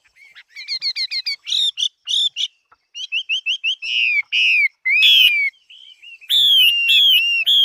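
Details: Chinese hwamei singing a varied competition song: quick trilled notes, rising and falling whistled phrases, and finally loud, sustained, ringing whistles repeated three times.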